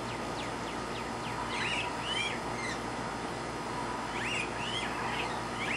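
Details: Green aracari calling with a loose series of quick slurred notes, some rising and some dipping, in scattered groups across a few seconds, against constant low hum and hiss.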